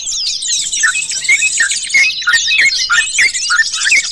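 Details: Sooty-headed bulbul, a wild bird, singing short, clear whistled notes around a middle pitch, repeated about every third of a second. A dense, high, twittering chatter from many other birds fills the background.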